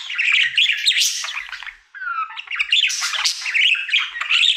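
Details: Pet male budgerigar happily singing in his daily routine: dense, scratchy chatter with mixed chirps, a short run of clear descending whistled notes midway, then more buzzy warbling.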